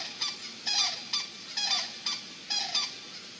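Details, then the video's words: Cranes calling on 7 January 2016 after a great blue heron passes over them again, giving bright honking, trumpet-like notes in short paired bursts about once a second over a steady loud background hiss. "GBH PASSES OVER CRANES AGAIN THEY SING"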